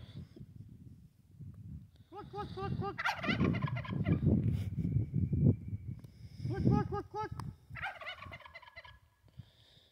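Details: Sweetgrass turkey tom that escaped for a morning walk gives two loud, fast, rattling gobbles, each a quick tumbling series of throaty notes, the first near two seconds in and the second near six seconds, over low background rumble.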